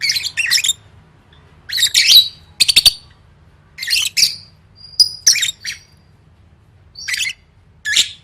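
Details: Lovebird in gacor song training for gantang contests: separate groups of scratchy, squeaky chatter with quiet gaps between them and a few clipped high notes, over a soft low hum.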